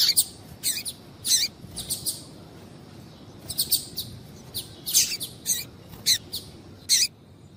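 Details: Female Double-collared Seedeater calling so a male will sing: repeated short, bright, high chirps, sometimes paired, scattered irregularly throughout with a soft hiss beneath.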